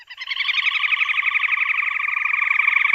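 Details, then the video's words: Crake with orange and black barring, found along the base of the Andes and in Amazonian lowlands in dense wet growth and grassy patches: a long, musical, springy trill of rapid even pulses, sustained for three seconds at steady pitch. "Listen for its long, musical trill, springier than that of other crakes."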